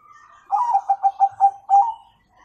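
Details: Zebra dove of the Bangkok type in full song with its 'kung' tone, used to teach young doves: a short lead-in hum, four rapid soft coos, then a sustained rolling coo.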